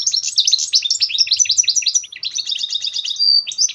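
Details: Goldfinch mule, a goldfinch hybrid, singing to train and motivate songbirds: a continuous loud, fast twittering warble of tinkling high notes and buzzy trills, ending with a pure whistled note.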